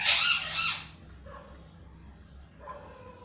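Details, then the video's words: Parrot giving a loud harsh screech in the first second, followed by quieter nasal calls, over steady low background hum. "parrot voice"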